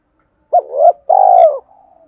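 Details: 'Thúc' style cooing of a spotted dove, used to goad wild doves into calling: after silence, a short arched note, then a long, throaty, faintly pulsing coo that sinks and trails off softly.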